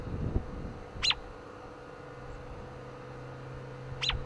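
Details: American robin pausing on a windy day to give a few short chirps: two sharp, high, downward-sweeping chirps about three seconds apart, over a low rumble of wind.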